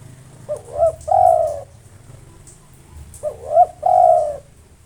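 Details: Spotted dove, local type, singing tirelessly to provoke rivals. Two repeated phrases of two short hooked coos followed by a long, flat, resonant coo, with a low steady hum running underneath throughout.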